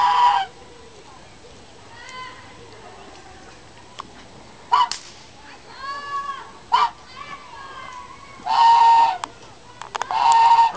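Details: Angry turkey gobbling repeatedly: short, harsh, rattling bursts, two of them longer and louder near the end, mixed with softer rising-and-falling nasal calls between them over low background hiss.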